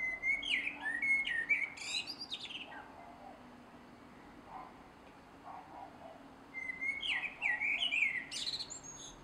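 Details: A male blackbird sings at dusk in a garden on 3 July 2016: two unhurried phrases of mellow, fluted warbling, each ending in a high, squeaky twitter, with a quiet pause between them.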